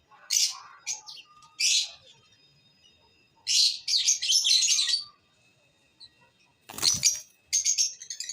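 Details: Lovebirds chirping in sharp, high, scratchy bursts, some single and some in rapid runs, with short silences between them.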